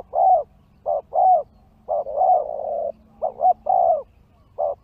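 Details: Spotted dove used in a trapping session where wild doves respond, giving soft, hollow cooing notes in short, uneven phrases, roughly one burst per second, with a low hum underneath.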